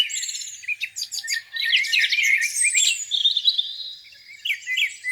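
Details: Morning birdsong by a lake in spring: mixed chirping and twittering from several birds, a clear sustained whistle midway, then a quieter stretch followed by a few rising notes.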